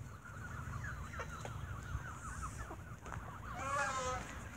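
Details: Evening feeding of geese with bread, with squabbling among the birds: a string of harsh, overlapping honks, then a louder drawn-out call with a rich, layered tone near the end, over low background rumble.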